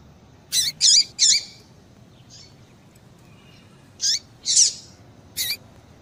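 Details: Female papa-capim seedeater calling to excite a male: a rapid burst of three sharp chirps with falling tails, a pause with a faint note, then another chirp group including a buzzier note, high and clear.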